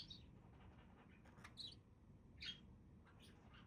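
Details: Budgerigar chirping: quick, bright, high notes coming in irregular bursts roughly every second, over a low steady background hum.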